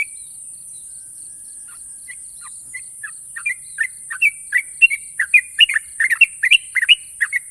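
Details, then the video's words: Champion sooty-headed bulbul: after a quiet, sparse start, the bird builds into long sharp trilled song, quick bubbly notes tumbling faster and louder over the last four seconds, with steady high background hiss. "burung trucukan juara nasional ropel panjang dan tajam"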